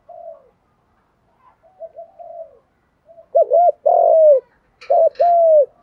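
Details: Spotted dove pair, male and female, calling to stir birds for training: soft low murmuring coos at first, then two loud phrases, each a hooked double note and an extended descending coo, with a brief click between.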